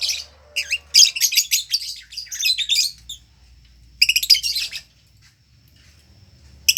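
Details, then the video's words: Long ngekek song of a lovebird: quick series of scratchy, high chattering notes for about three seconds, a pause, then another short chattering burst and a final outburst, over a quiet low hum. "Love birds gacor ngekek panjang konslet - Love Birds Sounds Ngekek"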